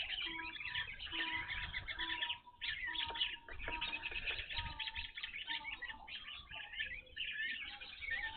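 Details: Evening grosbeaks at a bird feeder, a first sighting at this spot: a dense, continuous chatter of overlapping high chirps and short calls from several birds, with brief pauses and a few lower tonal notes.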